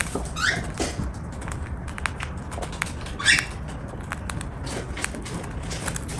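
A cockatiel eating, with soft irregular crunches and clicks as seeds are cracked and husked.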